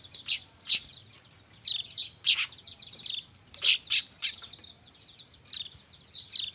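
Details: Noisy weaver young for use as a lure; bursts of grating high chirps bunch together, then thin out, over a steady shrill background tone.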